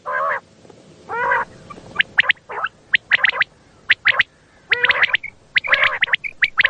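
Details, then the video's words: Common quail at night, a recording used to lure quail for hunting. Crisp three-note phrases mix with rough, harmonic, gargled calls in an uneven sequence. "Bildirçin səsi"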